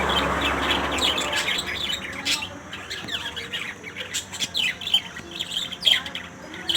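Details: Lories in a range of colours squawking: grating, high screeches and thin chirps in uneven bursts, starting over a low droning hum that fades after a second.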